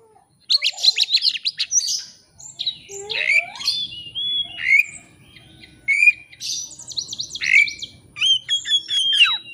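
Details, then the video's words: Varied shama lure song for challenging a rival, opening with a rapid buzzy chatter, then looping whistles, rising slurs and sharp high notes in quick succession. "kacer ngeplay cari lawan. pancingan kacer agar bongkar isian.!!!"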